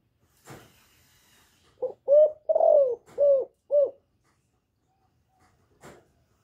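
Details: Female spotted dove nest-calling to excite males: a single quick phrase of five low hooting coos, the middle one longest and falling, with a faint click before and after.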